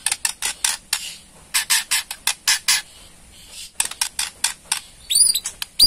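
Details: Borneo white-rumped shama ketrekan, a rattling call played to draw a response from other birds: bursts of harsh, dry clicking rattles in uneven runs, with a brief high twitter near the end.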